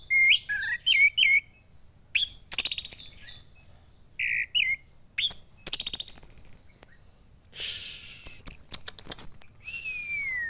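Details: Young caged orange-headed thrush from Klaten, Central Java, singing loudly: clipped chirps, rattling buzzy trills, a bright jumble of high notes and a final long descending whistle.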